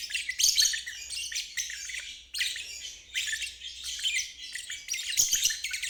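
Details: Lovebird trilling for young birds to learn from: continuous scratchy, buzzy high chatter in bursts lasting one to two seconds, separated by short gaps, with a steady low hum beneath.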